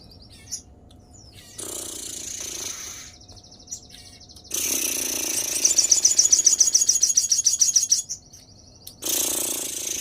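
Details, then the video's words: Sogon described as excited and in breeding condition, singing: a fast, high, rattling trill of evenly repeated notes for about two seconds, set among harsh noisy bursts and scattered chirps. "sogon gacor mulai ada emosi dan brahi"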